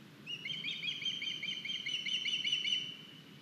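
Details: Ospreys at an Estonian nest on 9 August 2021, one juvenile delivering a sizeable fish; a continuous rapid chatter of high-pitched, bubbling whistled notes for about two and a half seconds over faint background hiss.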